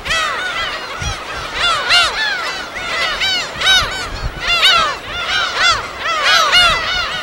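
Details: Gull colony on an uninhabited island in the West Sea, field recording at the natural nesting ground: a crowd of loud, nasal, arching cries overlapping continuously, swelling in bursts roughly every second, with little background noise.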